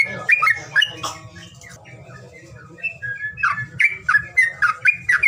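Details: Bird call played to coax reluctant birds into voice: a few scratchy squawks, a quieter stretch, then a quick string of hoarse, slurred notes, over a low droning hum.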